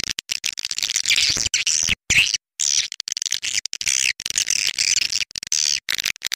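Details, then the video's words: Lure sound for attracting swiftlets: dense, rasping high twitters in rapid overlapping bursts, chopped by frequent brief gaps of silence, continuing throughout. "Suara panggil burung walet"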